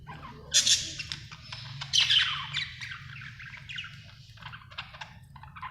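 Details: Budgerigar chirping happily: two loud scratchy squawks near the start, then a softer, rambling stream of twittering chirps, with a constant low rumble behind.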